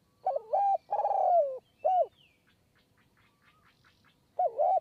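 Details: Spotted dove calling from a perch at a decoy trapping site in Kanchanaburi high forest, Thailand; a three-note phrase of wavering note, long falling coo and short arched coo, then a fresh phrase begins, faint chirps between.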